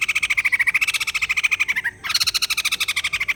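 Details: Rapid laughing chatter of a white-crested laughingthrush, used to get a reluctant bird singing: fast pulsed notes that slowly fall, a brief pause, then a higher burst that drops back into the same quick rhythm.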